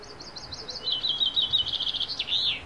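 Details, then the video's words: At first light in wild forest, a niltava gives a fast series of high chirps that step down in pitch before ending in sharp slurred whistles. "Wild Niltava Serenade: Nature's Morning Symphony"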